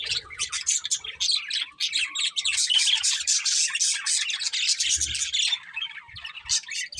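Budgerigars chatter continuously in a dense, scratchy warble of high chirps and squawks, several birds overlapping with hardly a pause.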